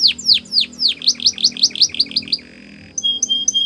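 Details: Training song of a canary, opening with about a dozen quick, sharply falling whistled notes, then a brief low buzzy roll and three short, clipped high chirps.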